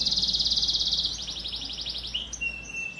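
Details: Canary in full glenderan song, a style prepared for singing contests: a very fast, even rattling trill of about twenty pulses a second, slowing into a looser trill, then a clear level whistle, with constant background hum.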